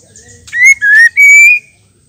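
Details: Calling female white-rumped shama, used to stir male birds to sing, gives a pure whistled phrase of three notes: a short rising one, a lower steady one, then a drawn-out gently climbing whistle.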